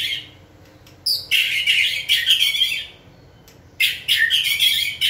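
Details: White-rumped shama kept in a cage and urged to sing during training, giving two dense bursts of harsh, chattering, scratchy notes with a short gap between them.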